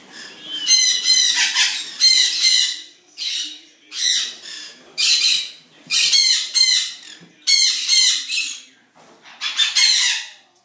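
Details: Noisy birds heard at a zoo in the morning: loud harsh squawks repeated in bursts roughly every second, each with a raspy, layered tone.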